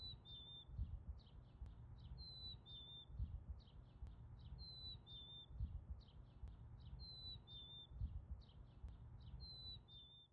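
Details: Chickadee singing in the northern United States in summer. It gives a thin, sweet whistle that slides a little lower, repeated regularly every couple of seconds, with quiet scratchy chips between phrases and steady low-pitched background noise.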